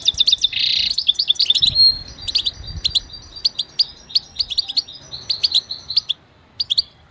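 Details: Goldfinch song for training and motivation: rapid liquid twittering with a harsh buzzy note near the start, then quick tinkling phrases that grow sparser toward the end.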